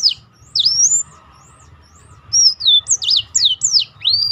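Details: Black-throated canary in full song, kept as a tutor to train other birds and widen their repertoire: a fast run of high, sharply slurred whistles and rising and falling sweeps, with a pause before a second burst of chirps.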